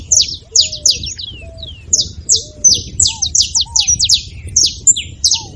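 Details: Saffron finch with a beautiful song meant to stir a silent bird into singing: sharp, high, downward-slurred chips in loose bursts, with soft, low, curved whistles from another caller beneath.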